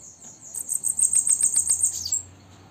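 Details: A captive female bananaquit sings at sunset in the late afternoon: a thin, very high, hissing song of rapid ticking notes lasting about a second and a half over a quiet background.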